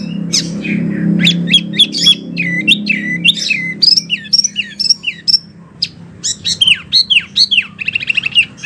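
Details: Wambi singing, a recording meant for training oriental magpie-robins and other birds: sharp squawky notes and sliding whistles, then quick separate chirps and a fast buzzy trill at the end, over a low rumble early on.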